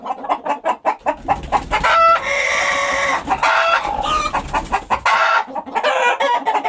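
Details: Several chickens cluck in quick repeated bursts while a rooster's drawn-out crow rises in the middle, followed by more overlapping clucking and squawks.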